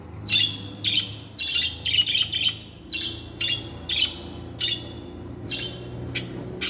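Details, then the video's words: Budgerigar song of lively high chirps and short warbles, repeated several times per second in bursts, steady and cheerful, over a faint low hum. "Singing Budgie - Happy Song"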